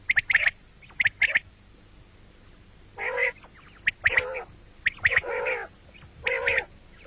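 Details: Common quail heard morning and night: pairs of sharp high triple-note bursts alternate with longer harsh buzzy notes, each group about a second apart.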